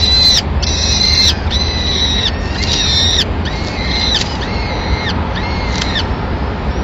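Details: Peregrine falcons in Madrid, April 2016: the female has arrived with a pigeon and calmly feeds the chicks. Rhythmic run of about eight harsh, even-pitched squealing calls, roughly one per second, gradually weakening toward the end.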